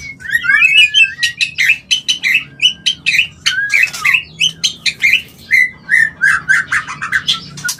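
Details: White-rumped shama call meant to bring on breeding condition and mating: a fast sequence of sharp, downward-slurring whistled notes in short bursts, roughly two or three per second, with a few rising slurs and chattery flourishes.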